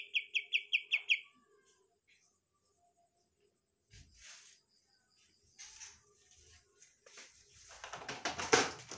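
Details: A young, big-bodied, semi-tame, healthy Medan white-rumped shama, heard at night when it already copies "kapas tembak" song material, gives a quick run of five bright, even chirps, then falls quiet; rustling, flapping and knocking follow.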